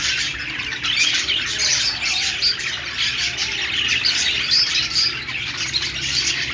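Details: Budgies chirping happily and seemingly talking to each other: steady high-pitched chatter of many overlapping twittering notes, with occasional sharper whistled squeaks standing out over the constant warbling flock sound.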